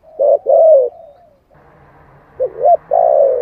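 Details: Spotted dove giving giọng thổ style coos meant to rouse other doves: two low hollow coos, a pause filled with faint low hum, then a short phrase of three rising and falling coos.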